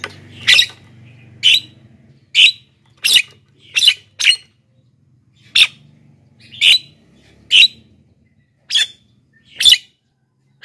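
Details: Javan myna calling steadily, meant to draw in wild birds and get silent captive ones singing; a dozen short, harsh rasping bursts spaced roughly a second apart over a faint low hum.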